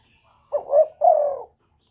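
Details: A single two-part coo from a Cà Mau spotted dove, used as a trapping lure call in Vietnam. A short swelling note slides into a longer, steady, slightly falling coo. The background is clean.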